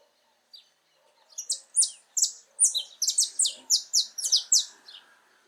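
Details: Wild saffron finch (Sicalis flaveola) singing freely in natural habitat, a loud, fast, steady string of crisp high chirped notes, around fourteen in under four seconds, after one soft opening note; quiet background.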